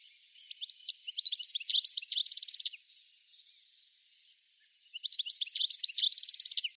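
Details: European goldfinch delivering two bursts of fast, liquid twittering that end in a buzzy rattling trill, separated by a quiet pause of about two seconds.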